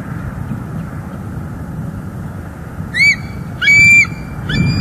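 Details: At a northeast Florida nest camera in December 2021, a female bald eagle reacts to her mate bringing sticks: three short high squealing notes near the end, the middle one longest, over low steady hum.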